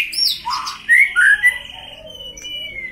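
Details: Captive white-rumped shama, agitated to sharpen its fighting spirit. It gives a burst of high notes, then two loud pure slurred whistles, then soft drawn-out whistles that fade away.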